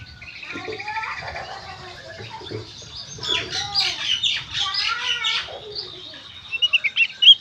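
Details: Oriental magpie-robin song, offered as therapy to get magpie-robins singing: rapid scratchy mimicking notes and slurred chatter in the middle, ending with a fast series of bright sharp chips.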